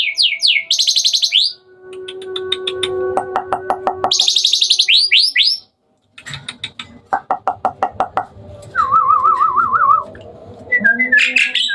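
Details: At night, a hybrid Asian pied starling sings energetically: bursts of harsh high chatter, rapid clicking rattles, and a wavering whistled trill, over a faint low hum.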